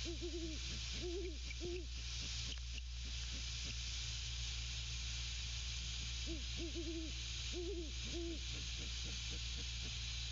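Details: Male and female Great Horned Owls at the nest exchange deep hoots in quick groups of four or five, a pause with faint soft pulses, then more grouped hoots; constant hiss in background.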